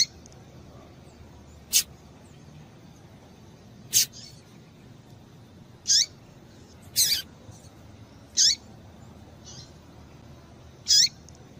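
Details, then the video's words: Female Double-collared seedeater calling to excite the male: short, sharp, very high chirps given singly at uneven gaps of one to two seconds, seven notes in all, over a quiet, steady background hiss. "Piado de Fêmea de Coleiro para Esquentar o Macho"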